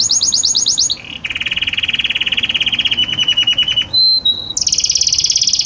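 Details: Belgian canary song moving gradually between notes: a fast series of high chirps, then a long low rolling trill of rapid pulses, a brief pure whistle held twice, and a closing high buzzy roll.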